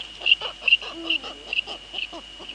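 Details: At a Dutch nest on the evening of 2 February 2013, 19:15, a Eurasian eagle-owl pair, with the female on the nest and the male close by. A brief low tonal note sits mid-clip among rapid dry clicks and tapping, with a constant high electronic whine.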